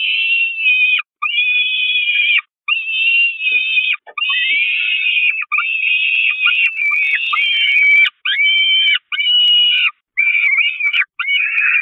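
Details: On 5 May 2021, hungry peregrine falcon chicks at the Catharinakerk nest go after their mother, who escapes to the grate. A near-continuous string of high, wavering, screeching wails broken by short pauses.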